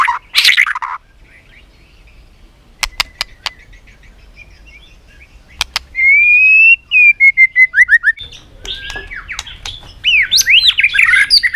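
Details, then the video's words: White-rumped shama in competitive song, clicking tak and tail-flicking: a rough burst opens, scattered clicks follow, then long steady whistles and a dense tangle of quick warbled notes. "chòe lửa tạch liên tục đập đuôi dùng kích chòe lửa lên lửa hót đấu"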